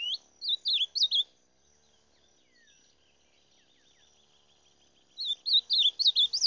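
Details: Rufous-bellied thrush song in two bursts of quick, warbling whistled notes, about five notes each, separated by roughly four seconds of near silence with a faint high insect-like buzz in the background.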